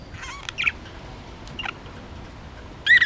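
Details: Little pet budgerigar playing with a homemade toy, uttering warbling, wavering chirps early on and a louder bent, twittering call at the end, in a quiet indoor room.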